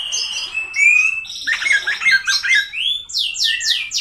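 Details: Oriental magpie-robin song said to agitate rival birds: rich rising whistles and warbled phrases, ending in a string of loud down-slurred notes repeated several times.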